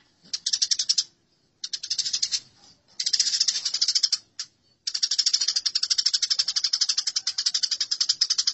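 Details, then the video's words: Squabbling Eurasian tree sparrows produce buzzy, rattling chirp series, first in short bursts with gaps, then one unbroken harsh chatter lasting nearly four seconds. "Masteran Gereja Tarung"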